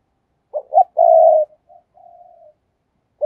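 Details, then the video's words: A captive decoy spotted dove, used for calling and luring, gives a soft low cooing phrase: two short notes, a long drawn coo, then fainter trailing coos and a final short note. "cu moi/ tiếng cu mồi"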